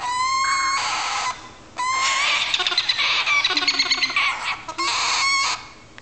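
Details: Two young galahs nearing weaning, waiting for breakfast, give harsh, rasping begging screeches in long insistent bursts, overlapping and rising in excitement, with brief pauses between.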